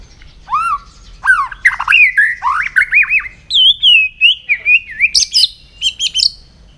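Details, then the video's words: White-rumped shama in morning song practice: a long, varied sequence of fluting whistles, quick wavering notes and sharp high chips, delivered almost continuously with very brief gaps. "chòe lửa hót sáng luyện giọng chòe lửa hót"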